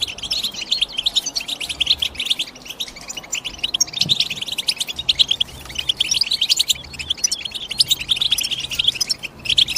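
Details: European goldfinch call: long run of quick, overlapping high chirps and liquid twitters in bursts, louder pulses every second or so, faint low hum beneath.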